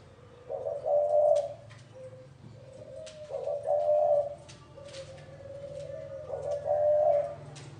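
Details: Spotted dove delivering gáy gù coos: three fuller mellow phrases linked by quieter, drawn-out low notes, with scattered faint clicks and a low hum behind.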